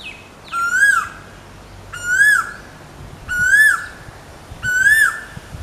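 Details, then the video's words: Asian koel calling: four loud, clear whistled notes, each rising then dipping at the end, repeated about every one and a half seconds against a quiet background. "Asian koel call"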